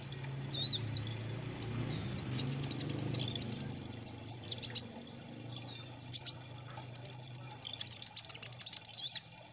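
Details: Kolibri ninja, a sunbird, in an 'ombyokan' lure recording played to get birds singing fast: thin, very high twittering phrases in clustered bursts, with a steady low rumble underneath.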